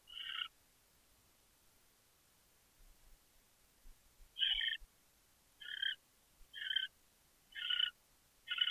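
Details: Chittering owl recorded in Chula Vista, California, 23 January 2013, early evening: six short, hoarse, buzzy bursts, one at the start, then after a pause five more spaced about a second apart, against near silence.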